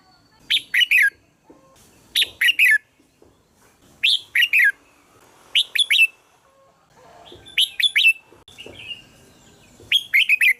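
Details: Red-whiskered bulbul calling to attract other bulbuls: short bright warbled phrases of three or four quick notes, repeated roughly every one to two seconds, with quiet gaps between.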